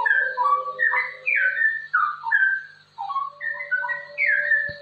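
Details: Fast-flowing 'ropel' song of a straw-headed bulbul, played to teach and stimulate other bulbuls: bright, mellow whistled notes dropping in pitch, grouped in short bubbling phrases with brief gaps, a faint steady hum beneath.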